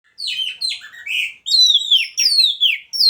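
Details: Caged Oriental magpie-robin, kept in a hanging cage and put together with a mate, singing a rich run of varied whistled phrases, some sliding downward, others fast and warbled, with short pauses between bursts.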